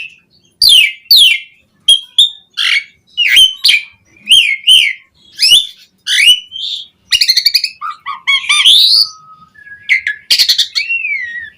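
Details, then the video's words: Asian pied starling in full, rich song used as a lure to make other starlings sing: a varied medley of loud whistles, harsh rasping notes, chattering bursts and rising and falling slurred phrases with short pauses between. "Suara JALAK SUREN Gacor MATERI Full Mewah Cocok Buat Pancingan Burung Jalak Biar Cepat Bongkar Isian"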